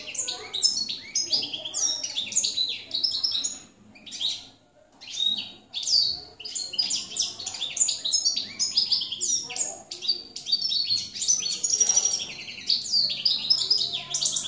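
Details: Jilguero campero (field goldfinch) singing, 2017: long run of fast, tinkling twitters and slurred high notes, with a brief pause near the four-second mark, then a steady stream of jumbled chirps over a soft low hum.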